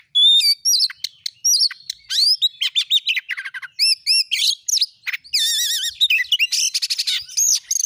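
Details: Oriental magpie-robin delivering a rich lure song to goad other magpie-robins into singing: loud whistled phrases, repeated arching notes, fast trills and a wavering buzzy passage near the end.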